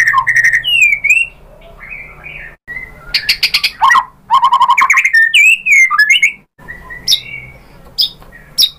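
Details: White-rumped shama (murai batu) singing to provoke other shamas into song: a varied run of clear whistled phrases, sharp rising and falling notes and buzzy trills, in loud bursts split by brief pauses.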